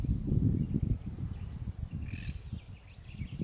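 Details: Eurasian penduline tit at the Valchico stream near Madrid, Spain, on 15 May 2021. A single thin, high, drawn-out whistle slides steadily downward, set against constant low rumbling from wind or water and faint notes from other birds.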